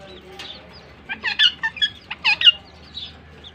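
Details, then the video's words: Pakistan ringnecks (rose-ringed parakeets) calling as a pair in Larkana, Sindh: a quick cluster of loud harsh chirps about a second and a half long, then a softer trailing call. "Pakistan Ringnecks Talk and Dance with Each Other || in like you chirping sounds in pair"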